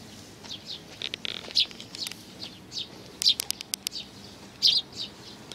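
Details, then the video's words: Sparrows, parents with chicks, 11 May 2019, chirping busily with overlapping high notes, several sharp clicks and a burst of soft fluttering sounds mixed in. "可愛いすずめ達 20190511 5（雛鳥親子がやって来た）"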